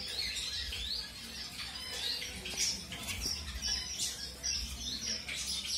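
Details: Colour-mutation zebra finches newly introduced to a new mate during pairing; dense, rapid high chirps and short squawky notes overlap throughout, with faint low rumble in the background.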